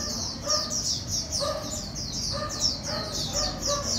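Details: Red-whiskered bulbul learning to eat cricket abdomens: rapid high, thin chirps repeated about three times a second, with softer lower tonal notes underneath and a steady low background hum.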